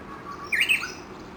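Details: A Japanese bush warbler among dozens feeding at dawn near Gakushima Bridge, Kawashima, Tokushima Prefecture; a soft even whistle is followed by a loud, quick, bubbling rising phrase, over a faint hiss.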